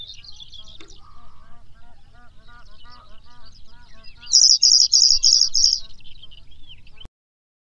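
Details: Pallas's bunting song: soft scattered high ticks and short whistles lead into a rapid series of five or six bright, buzzy, high-pitched notes repeated at an even pace, over a faint low background hum.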